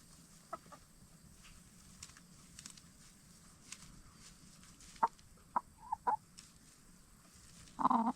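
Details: Free-range backyard hens of the Black Star and Bielefelder breeds, bedding down for the night in a chicken tractor. Mostly quiet, with a few isolated clucks and a louder cluster of short clucks near the end.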